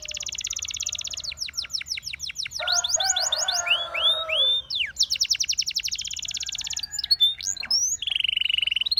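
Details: Russian singing canary performing a varied song meant to attract other canaries: rapid trills of descending notes, a lower warbled passage with curved whistles, then fast high buzzy rolls and a steady trill at the end.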